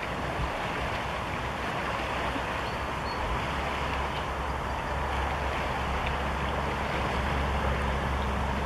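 Steady roar of waves and surf with low rumbling wind, and no animal calls.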